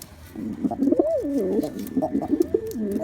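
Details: Male black pigeon in display, giving low, rolling coos that rise and dip in pitch, several phrases in quick succession with a faint hum behind.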